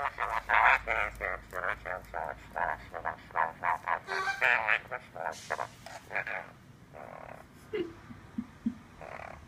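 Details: Pet caique parrot in a room, scheming to get past an orchid pot: long bursts of rapid, raspy, cackling notes, roughly three to four per second, with brief pauses between runs.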